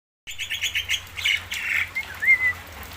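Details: Javan myna giving its various sounds: a quick run of about six short buzzy chirps, then harsher drawn-out notes and a clear sliding whistle near the end, over a faint low hum.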